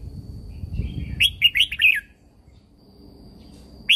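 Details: Red-whiskered bulbul, a Thai caged songbird, singing a training song played to excite other caged birds: one short burst of four or five quick warbled, bouncing notes, then quiet and the start of another phrase; low background rumble.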